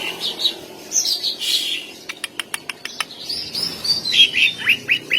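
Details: Greater green leafbird (cucak ijo) singing long, lively bursts meant to stir mating urge and aggression in other leafbirds: high whistled phrases, a rapid train of sharp clicking notes, then a run of quick slurred chirps.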